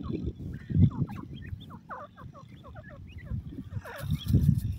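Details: Black francolin chicks giving many short, high, downward-slurred peeping notes in quick irregular runs, with low rumbling handling and movement noise underneath.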